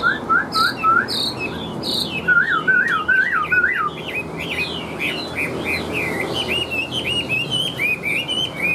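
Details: Chinese hwamei, a large bird with yellow legs and bill, singing loudly: clear whistled phrases, rising slurred notes repeated in quick runs, wavering trills around the middle of the song, then varied higher warbling notes.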